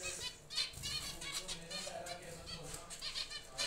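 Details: Zebra finches kept in a breeding aviary give overlapping short, nasal, high-pitched calls in quick succession, with wing flutters and a soft low rumble underneath.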